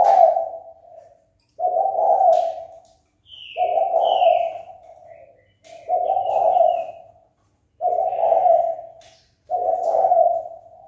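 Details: Spotted dove calling to incite a fight: six rolling, husky coo phrases repeated roughly every one and a half to two seconds, while another bird adds brief higher whistled notes between them.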